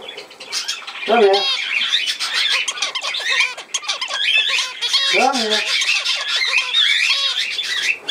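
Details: Budgerigars filmed 17 November 2024 chatter loudly and continuously, a crowded mix of squeaky warbles and chirps, with two lower, voice-like buzzy sounds standing out briefly.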